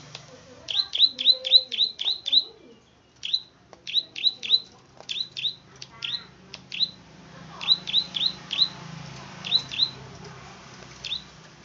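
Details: Plain prinia, a rice-field bird, giving sharp, high clicking notes in quick runs of six or seven, then shorter bursts of two or three, over a faint low hum.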